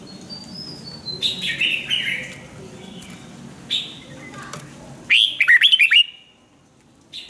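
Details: A Red-whiskered bulbul sings for song training. Softer, scattered whistled notes come first, then a bright, rapid burst of five or six rising and falling whistles near the end.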